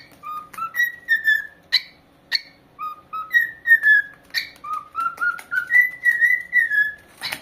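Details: Singing corella parrot whistling a tune: phrases of pure whistled notes climbing from low to higher pitch and gliding down, repeated several times, broken by sharp harsh squawks and clicks.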